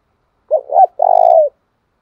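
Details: Spotted dove coo used to lure and provoke rival doves into fighting. Two quick low notes are followed by a sustained, throbbing coo that ends with a downward slur. No other sounds are heard.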